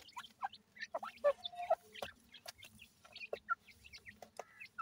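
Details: Feeding time for young francolin chicks, with short piping notes and clucky chirps spaced irregularly, about two per second, among clicks and faint background hum.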